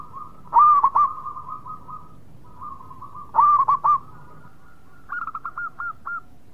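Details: A zebra dove of local type gives two short rolling coo phrases followed by a quieter, higher series of six clipped purring notes, with a soft trill between bursts.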